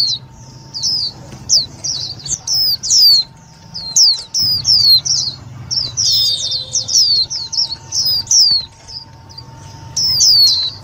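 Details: Busy series of high, buzzy downslurred chirps from an Indian white-eye, used as a lure to trap and stimulate other white-eyes, clustering into fast overlapping bursts mid-sequence.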